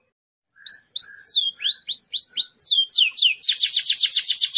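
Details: A Timbrado (Belgian) canary, recorded as song for training canaries, sings a run of high, slurred whistles that dip and rise, then breaks into a fast, steady trill of about a dozen even notes.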